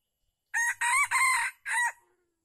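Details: Crow of a red junglefowl at a decoy-trapping session in Calang, Aceh Jaya, Indonesia, 12 February 2020; four brassy syllables, the third long and sustained and the last clipped, in a quiet setting.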